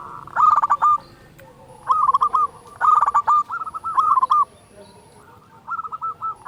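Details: Zebra dove of local stock with a big voice, recorded to lure doves into song: repeated short phrases of fast rolling coos, each about a second long, spaced by brief pauses.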